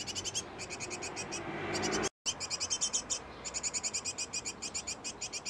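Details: High, rapid chirping bursts from a great tit nest box where a pair is feeding nestlings, with a rushing swell of broader noise just before a short dropout, then steady chirp runs.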